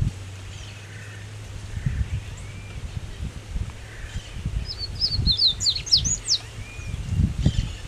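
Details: A Double-collared Seedeater in Jaboticabal, Brazil, sings a brief, fast run of sharp, high, up-and-down notes over steady low rumbling background noise.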